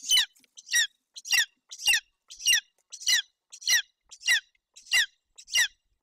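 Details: Eaglet of a golden eagle at a Romanian nest in Bucovina, June 8, 2021, calling for food as its mother starts feeding: sharp, piercing squealed notes, each sliding down, repeated regularly around every 0.6 seconds.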